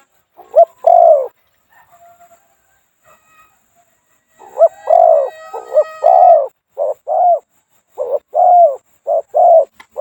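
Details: Decoy Spotted Dove from Thailand in the two-coo, small-voiced style: one paired hoot, a quiet pause with faint sounds, then a series of soft, low coos in short-long pairs.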